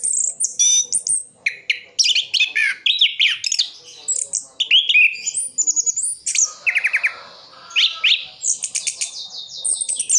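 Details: Orange-headed thrush from Sidoarjo, East Java, in long full mimicry song: rapid series of short sharp notes, fast trills, downslurred whistles and buzzy chatter, many bursts in quick rhythm.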